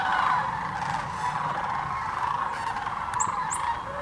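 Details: Sandhill cranes gathered by the thousands at Hiwassee Wildlife Refuge in Birchwood, Tennessee, where they migrate each year: steady, unbroken massed trilling calls from the flock, with brief higher chirps near the end.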